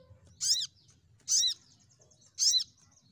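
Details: Crimson sunbird lure calls meant to make birds sing: three loud, arched, slurred high notes, each dipping at the end, about one second apart, over a faint low background hum.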